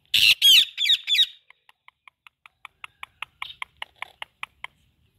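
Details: Indian ringneck parakeet presented as a talking pet: a burst of loud, harsh, harmonic squawks followed by an evenly spaced string of short clicking pips, about three every second, in a quiet room.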